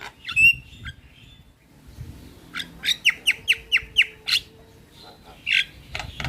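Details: Black-winged myna training song meant to prompt a quiet bird to sing: harsh squawks and whistles, then a run of seven loud, evenly spaced buzzy notes, closing with a few rasping calls.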